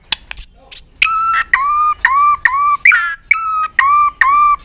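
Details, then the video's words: White-rumped shama singing a long string with tail-flicking attitude, used to stimulate other birds: a clear two-part whistle, a high note dropping to a lower one, repeated about every half second, with sharp clicks at the start. "chòe lửa kéo dây siêu dài,đánh đuôi thái độ kích chim hiệu quả"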